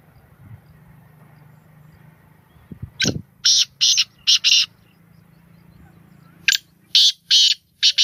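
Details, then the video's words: Kala teetar, the black francolin, repeats its harsh call twice: each phrase has four rapid buzzy, rasping notes over a quiet low hum. "Beautiful voice of black francolin Kalay Teetar Ki Awaz Kalay Teetar Ki Boli Sindhi teetar ki awaz"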